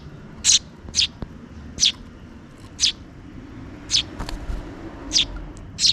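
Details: Two chicks of a sparrow pair call insistently while being fed by their parent toward dusk: high, sharp chirps repeated roughly every half-second to second, eight in all, with soft background hum.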